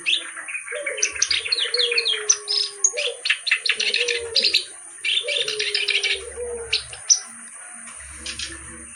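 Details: Clamorous reed warbler in vigorous song with varied phrasing: rapid series of harsh, chattering notes in bursts of a few seconds, over repeated low, drawn-out cooing from another bird.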